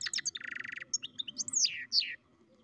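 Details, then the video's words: Goldfinch-canary mule singing: a rapid dry rattling trill opens the phrase, followed by clear sliding whistles and loud downward-swept notes, set over a steady low background hum. "καρδερινοκαναρο κελάηδημα (European Goldfinch carduelis mule singing)"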